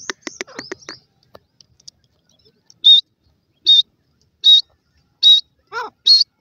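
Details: Grey francolin chicks fighting: a burst of rapid clicking notes, then short, high, shrill piping calls repeated about once a second, with one lower descending note near the end.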